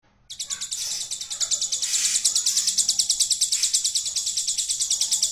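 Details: Hill prinia singing a song with a golden grasshopper imitation fill: after a short silence, a fast, steady train of high, buzzy ticking notes, about three each second, runs unbroken to the end, with faint lower sounds beneath.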